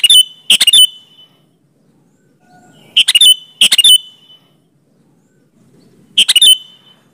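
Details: Sooty-headed bulbul song used as a lure to make other bulbuls answer: short, loud bubbly phrases of clicky notes with a bright warble, given in bursts roughly every three seconds, with quiet gaps between.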